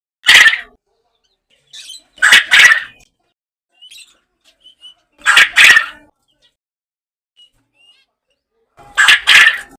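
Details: Farm quail heard in its natural surroundings with short, sharp double-pulsed rasping calls, repeated irregularly every two to three seconds, separated by silence and a few faint clicks.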